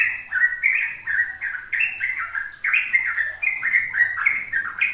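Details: Sooty-headed bulbul in rapid ropel-style song, used to coax young untrained bulbuls into learning it: a continuous run of bubbly, liquid whistled notes hopping up and down without pause, with a faint low hum underneath.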